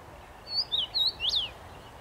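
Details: Common rosefinch singing in a tree on 23 May 2021: one short phrase of four clear whistled notes, the last one loudest and swooping up then down, over a faint low background hum.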